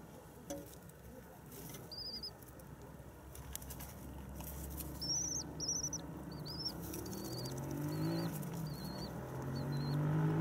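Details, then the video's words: Common swifts just returned in spring on 9 May: a series of brief high-pitched screeching notes, about eight separate squeals spaced roughly half a second to a second apart, over low rumbling background noise. "стрижи прилетели"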